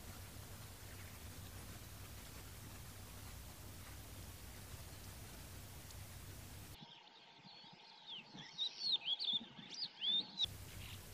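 Calandra lark: a quick burst of varied, chirping and twittering high notes near the end, after several seconds of low, steady background rumble.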